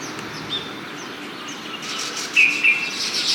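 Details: Baya weavers in front of a house in Hyderabad give short, high chirps and brief whistled notes, with a buzzy, wheezy chatter building in the second half over a low outdoor hum.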